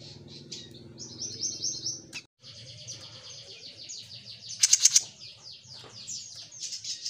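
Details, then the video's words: High, thin warbling from a jenggot mini, a long run of rapid slurred notes interrupted by a brief gap, then a short burst of loud sharp ticks before the twittering resumes. "Suara Burung JENGGOT MINI Gacor"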